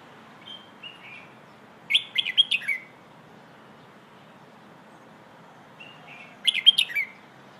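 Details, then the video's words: Red-whiskered bulbul song in the "hoh" song style, played for teaching young birds to sing: two short phrases, each opening with a few soft whistled notes and ending in a louder burst of quick chirped, warbled notes, about five seconds apart, over quiet background. "เพลงโห่ เสียงฝึกร้องนกกรงหัวจุก"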